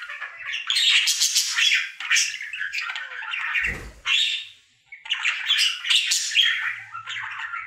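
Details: Happy male pet budgerigar warbling his daily song indoors, bursts of rapid squawky chatter and clicks separated by short gaps, with a low thump near the middle.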